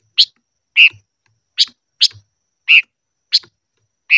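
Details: Silver-eared mesia during voice training, alternating high sharp chips with slightly lower, fuller notes, spaced about half a second to a second apart, otherwise quiet.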